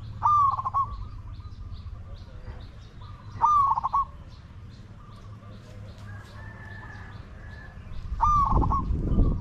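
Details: Spotted dove at a decoy luring wild doves: three loud coo phrases spaced several seconds apart, each a level note then a stutter of pulses, with a faint higher drawn-out call between and low background rumble.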